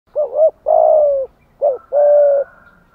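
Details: Spotted dove cooing to stimulate a lure bird: two phrases, each a short rounded double note followed by a long, steady, slightly falling coo, low and mellow, in a quiet setting.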